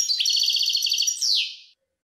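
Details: European goldfinch song: a bright, high, rapidly pulsing trill sustained for over a second, ending in a smooth downward-sliding note, in a clean, quiet recording.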